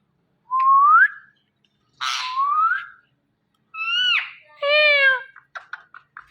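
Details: Male and female Indian ringneck parrot pair calling indoors in the morning while hanging on a door: separate clear rising whistles, then a falling, harmonic, nasal call and a few short clicks, with quiet pauses between.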